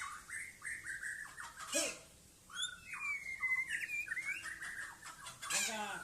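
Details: Aceh white-rumped shama performing its 'sailing ship' action in a yard, delivering a run of clear mid-pitched whistled phrases, a long smooth gliding whistle, and a harsh scratchy note at the end.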